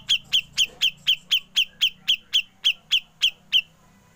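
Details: Grey-cheeked bulbul singing in ngepik style for a songbird training recording: fourteen crisp, high, evenly spaced chip notes, roughly four per second, stopping abruptly into quiet.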